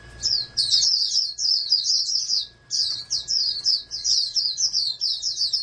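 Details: Bred oriental white-eye, a contest champion prospect, delivers shrill tumbling twitters in two long bursts split by a short gap, with a faint low hum throughout.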